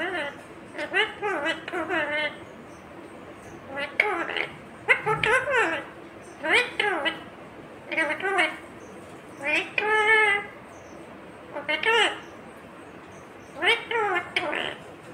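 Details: Indian ringneck parrot, green, talking steadily: a long series of short high, nasal, word-like syllables in quick clusters, with bending pitch and brief pauses, like rapid chatter.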